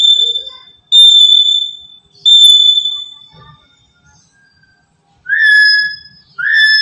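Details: Black-capped lory used as a trapping lure: two long, steady high whistles, then a pause, then two lower, richer, slightly rising calls near the end. Faint soft notes sit in the gaps.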